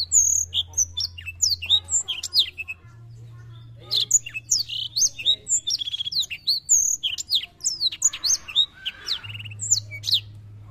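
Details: Black-throated canary, a vigorous continuous singer, recorded to encourage young birds to sing. Long varied phrases of sharp, high whistles, rapid buzzy trills and chirps, with a short pause near three seconds and a steady low hum throughout.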